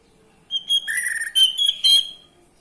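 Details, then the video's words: Orange-headed thrush song to provoke males into singing: a short burst of ringing whistles with a buzzy lower note, three quick rich sections in about two seconds. "Gunakan video ini untuk memancing birahi AM jantan, AM macet/malas bunyi langsung gacor"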